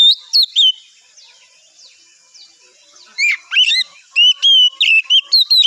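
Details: Oriental magpie-robin singing in the morning to draw replies from other birds: a few sharp whistled notes, a near-silent gap, then a lively burst of clear, sliding whistles and quick chips.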